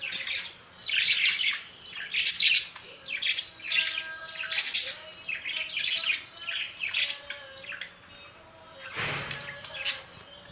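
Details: Budgerigars chattering indoors: a dense run of harsh, scratchy squawks and chirps in uneven bursts about once a second, with a lower sustained whistled tone beneath and a brief thump near the end.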